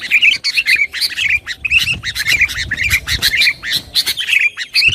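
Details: Sooty-headed bulbul singing energetically, used to stir rival birds and as tutor recording: quick chattering chirps in bursts, twittery bright notes recurring about twice a second, with soft low rumbling underneath.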